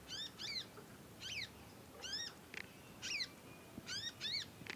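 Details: Juvenile conin songbird practising its song, very vocal. It gives bright, stacked, down-slurred chirps, often doubled, about once a second, with a few brief higher squeaks between them against a quiet background hiss.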